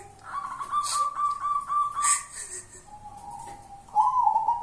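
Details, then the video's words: Kuntilanak-type local zebra dove produces a rapid run of short staccato coos, about three to four per second, on one pitch. A level held note and a final bright warbled coo follow, with occasional clicks. "Perkutut kuntilanak"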